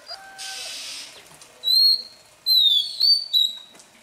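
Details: Oriental magpie-robin, newly caught from the wild, practising its morning song: a burst of hiss and a low steady tone, then a few clear, high, slightly falling whistled notes in two quick groups.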